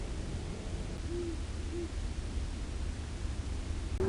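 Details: A great horned owl at Long Swamp Sanctuary, picked up by an acoustic monitor, gives deep, soft hoots: two close together, then a third after a pause, over a steady low rumble of background noise.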